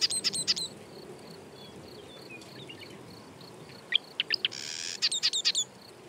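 A marsh wren gives bursts of rapid, high, dry ticking notes, clustered at the start and again near the end, with a brief buzzy rattle between.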